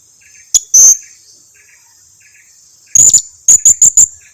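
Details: Blue-crowned hanging parrot lure call, used to make other hanging parrots that seldom call answer: very high, thin, sharp notes, one short then a longer one, a pause, then a burst and four quick notes, over a steady high whine.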